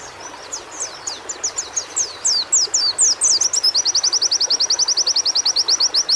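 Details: Song of a white-eye from audio meant to get caged birds singing: rising tempo of high, sharp slurred chirps that settles into a rapid, steady machine-gun trill of bright, thin notes, with faint hiss behind.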